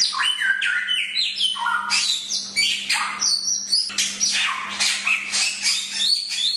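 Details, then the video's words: Chinese hwamei delivering a training song: rapid strings of stepped whistles, buzzy harsh strokes and high ringing notes in varied phrases, hardly pausing, over a faint continuous low hum. "Masteran Suara Samyong"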